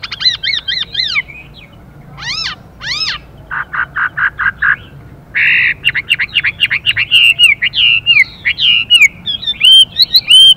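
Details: Hwamei male and female together, the male switching song phrases: looping whistled notes, fast rattling trills, then a long run of varied bent whistles rising and falling, a female's hissing calls urging him on.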